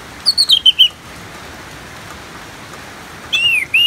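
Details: Orange-headed thrush ngeplong song over rain: a quick run of five descending whistled notes, a pause, then a wavering whistled slur cut off at the end, with constant rain noise.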